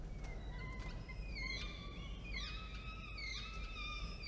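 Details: Falcon at a nest during feeding of two small chicks, 13 October 2022, early afternoon, after prey delivery by the male. Overlapping whining calls rising and falling in pitch, growing louder, several voices layered, with constant low hum.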